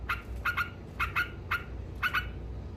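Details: Yellow-vented bulbul (trucuk) with a brief 'ngekek' burst said to anger rival birds: a few harsh, nasal doubled 'kek' notes separated by short gaps, over a quiet low hum.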